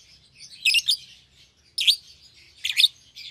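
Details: Caged pair of young lovebirds, one euwing green opaline and one albino with red eyes: three loud shrill chirp bursts about a second apart, with quiet chatter between.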